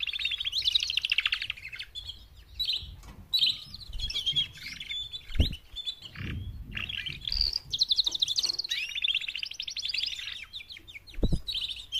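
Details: Female canaries, four together, call to stir males into song: bursts of quick high trills and sweeping chirps, broken by several dull low knocks in the background.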